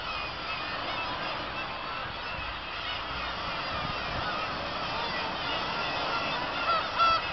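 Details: A busy black-tailed gull colony on Kabushima, Japan, in August 2012 gives a softer, unbroken wash of many overlapping calls, with a couple of louder cries near the end.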